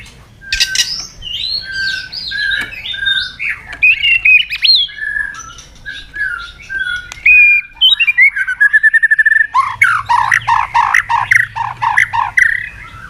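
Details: Lure song of a white-rumped shama (murai batu) in loud, steady song, with sharp fills. Varied whistled phrases and slurred notes give way to a fast run of repeated chips, then harsh, dense buzzy bursts near the end.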